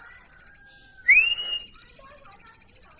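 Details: Short burst of plain prinia chirping: a loud rising whistled slur, then a quick even series of high pulsed notes.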